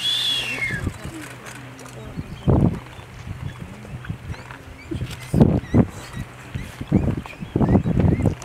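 Blue-footed booby: a thin whistle sliding downward, then several hoarse, honking bursts at irregular intervals over a steady low hum.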